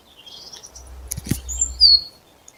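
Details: Birds singing in April, warming up their songs: a few thin high whistled notes and short chirps, including a rising whistle and a bright falling one near the end, with a faint low rumble in the background.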